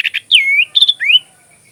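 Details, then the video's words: Kutilang, the sooty-headed bulbul, in tutor song for magpie robins: two quick chips, then a looping whistle that dips and rises, a fluttering double note and a final bright upslurred whistle. "suara kutilang isian Kacer"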